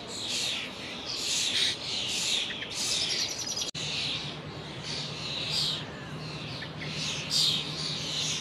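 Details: Young common starlings flocking in a horse chestnut tree at the Lido, calls audible from hundreds of yards away; a dense overlapping chorus of high, harsh chirps and whistles with a steady low hum underneath.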